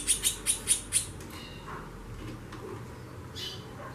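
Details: Female White-bellied seedeater (chorão) calling a lot, the chatter known locally as xaxando: five short, very high sharp notes in quick succession within the first second, then faint scattered sounds over low background hum.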